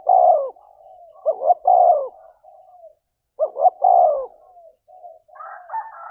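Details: Spotted dove, thổ voice, cooing to provoke a fight: a long coo, then two phrases of two quick notes and a falling coo, with drawn-out soft notes between and a higher, busier burst at the end.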